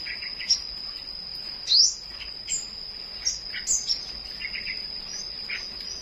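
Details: Flowerpecker singing in the morning: short, sharp, high upswept chirps scattered irregularly over a steady high-pitched whine, with a faint lower chirping in the background.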